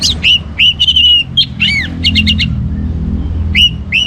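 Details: Orange-headed thrush singing energetically to encourage other birds: loud, ringing whistled notes bending up and down, a rapid stuttered series, then a quiet gap before two more clear whistles.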